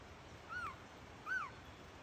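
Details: Collared trogon, one of a calling pair near a footbridge above Sueños del Bosque lodge, answering an imitated call from overhead, gives two soft, slightly arched, down-slurred notes about three-quarters of a second apart, over quiet hiss.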